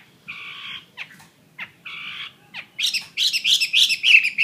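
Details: Chinese hwamei, a fighting-type bird (họa mi chiến) offered for sale: a few harsh buzzy double-banded notes and short slurs, then a loud rush of rapid, varied, ringing song phrases in the final second and a half.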